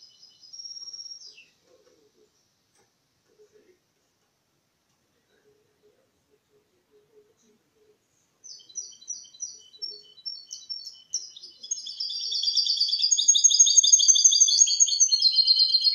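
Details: A mule goldfinch (goldfinch × canary hybrid) sings a clean, error-free Malaga-style song, used to stimulate males and tutor chicks: a long, high whistled note, then fast, tinkling, twittering song.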